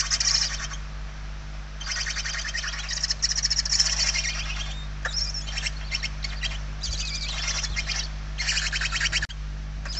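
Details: Inside a barn owl nest in Spain, 28 November 2023, hungry young beg: repeated scratchy, pulsing hiss bursts of one to two seconds, overlapping and uneven, with one thin falling whistle among them and a constant low hum.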